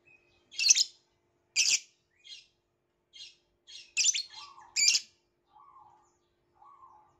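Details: Violet lovebird making loud, grating chirps in short bursts, followed by a few softer, lower chattering notes.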